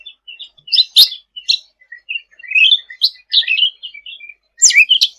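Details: Sooty-headed bulbul singing 'gacor': soft high chips, a sharp loud note at one second, then varied twittering phrases with rising and falling slurred whistles, ending in a loud harsh burst.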